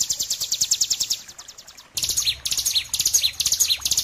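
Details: Bar-winged prinia in 'ngebren' style master song with pauses, used to train and prompt other birds: a fast series of high, thin ticking notes about eight per second that fades, then after an abrupt cut loud bursts of buzzy trills with sharp downslurred whistles.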